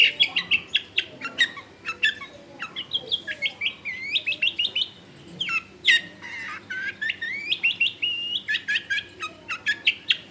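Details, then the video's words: Long-tailed shrike in varied song meant to coax other shrikes into singing: rambling mix of sharp clicks, upslurred whistles and chattering phrases in a dense house-area setting. "SUAR BURUNG CENDET GACOR COCOK BUAT PANCINGAN CENDET BAHAN BIAR IKUT BUNYI"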